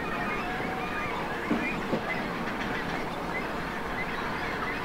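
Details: Great cormorant chicks in nests at a colony on Lac de Maine, Angers, 24 July 2024, make a dense, unbroken din of harsh, wheezy squeals and croaks over steady rushing background.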